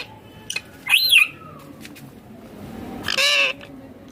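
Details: Green ringneck parrot eating food gives two separate calls: a curling, high squeak near the start, then, after a quiet stretch with soft background noise, a harsher, buzzier squawk.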